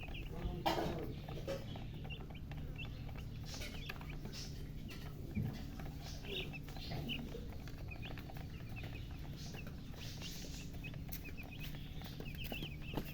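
Young chickens peep in a busy chorus of short, high chirps, calling out for water.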